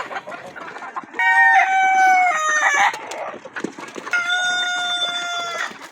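A rooster crows twice, each a long harmonic-rich call that holds then drops in pitch at the end, with clucking and farmyard clatter between.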